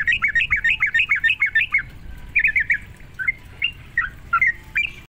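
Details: Sooty-headed bulbul song used to provoke other sooty-headed bulbuls: a rapid series of short bubbling, warbled notes in bursts, then scattered lilting phrases after pauses.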